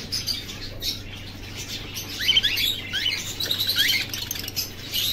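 A male cockatiel sings, with quick chirps and warbled whistles, among other chattering birds.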